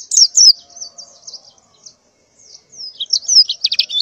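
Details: A female white-eye in breeding condition calls males in the morning: a few bright downslurred chirps, soft thin wavering notes, a pause, then a busy burst of high twittering.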